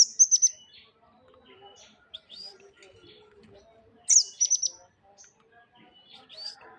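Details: Tame songbird in energetic song, giving two loud bursts of rapid, piercing high chirps about four seconds apart, with soft twittering and quiet chirps filling the gaps.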